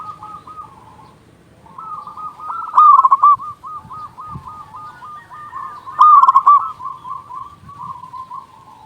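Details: Loud local zebra dove, recorded to lure doves and to spur quiet birds into calling. Soft rolling coos run almost without a break, with two loud vibrating trilled phrases near three and six seconds, over a faint low hum.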